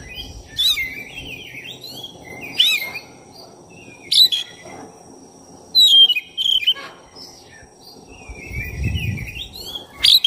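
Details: Black-breasted oriental magpie-robin in full song, offered as a lure to provoke another bird; varied loud whistles, sweeping slurs and sharp notes spaced a second or two apart, a faint high insect-like tone and low rumble beneath.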